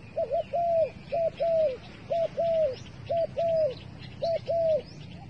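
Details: Dove serving as bait, calling a series of five paired coos, short then long with a downward tail, about once a second; thin high twittering of other birds runs underneath.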